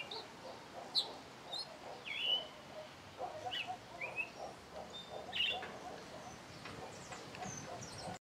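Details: A thrush at its singing hour, producing whistled and slurred notes in loose succession with gaps between phrases, over a soft low murmur.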